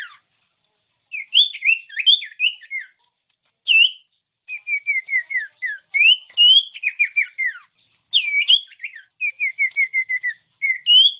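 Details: Common iora song used as a master recording to stir silent ioras into singing: varied bright whistled phrases, quick chirpy notes, short rapid runs of repeated descending notes, and rising upslurs with brief gaps between phrases.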